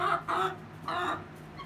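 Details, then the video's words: Egg song from a Rhode Island Red and a Golden Comet hen: two or three drawn-out, rasping cackles, each rising and falling, separated by brief pauses. "The Egg Song"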